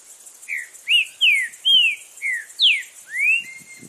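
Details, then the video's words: Wild green-winged saltator delivering its strong song, a string of seven sweet whistles, each slurring down in pitch, the final note rising and trailing off, over light background clicks. "TRINCA FERRO CANTANDO FORTE NA NATUREZA!!!"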